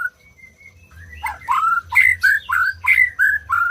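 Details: White-rumped shama song meant to prompt quiet birds to sing: a few soft thin whistles, then a fast run of loud, slurred falling whistles, about three per second, over a low hum.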